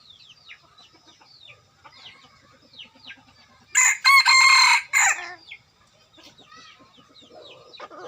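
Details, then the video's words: Decoy rooster kept to lure wild chickens into a trap crows once, loud and rasping, for just over a second. Before and after come soft clucks and faint chirps of other birds. "Gà mồi. Qaib dib cuab tuaj zoo"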